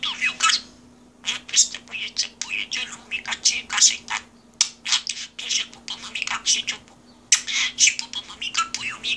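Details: Pet parrot indoors at an office mimicking human speech: rapid runs of high, chattering, word-like syllables in bursts with short pauses, over a steady low electrical hum.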